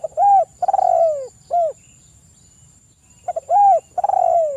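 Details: Spotted dove song played to stimulate other doves to sing, morning and evening: stuttered lead-in notes, a rounded coo, a long drawn falling coo and a short closing coo, the phrase repeated twice.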